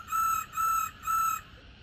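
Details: A female Black-throated laughingthrush (khướu bạc má), played to stimulate males to sing, gives three steady, bright, buzzy notes at an even pace, roughly two each second, with no other sounds.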